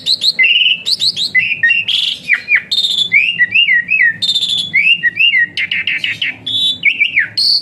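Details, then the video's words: Asian pied starling in dense, rough whistling song for training other birds: a tumbling stream of varied whistles, slurs and harsh notes with barely any pauses. "Burung Bersuara PELUIT Jalak Suren Tembakan Kasar Rapat"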